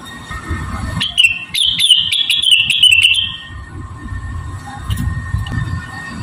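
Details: Javan cochoa giving a melodious master song used to train rengganis and other birds. A single long, high, slightly quavering whistle runs for over two seconds, peppered with quick sharp clicks, over a low rumbling background.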